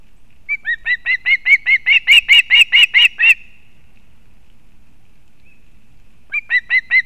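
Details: Osprey at a Kurzeme nest in Latvia, 31 August 2024, female bringing fish for the chick, live nest camera. A quick burst of about fourteen sharp, repeated whistled chirps, silence, then four more chirps begin.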